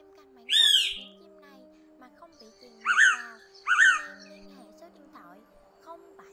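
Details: Blue-winged pitta calling to gather the flock, a recording used to lure birds into traps, from 2024: one sharp high descending note, then two clear whistled notes about a second apart, over a steady electronic hum and faint lower tones.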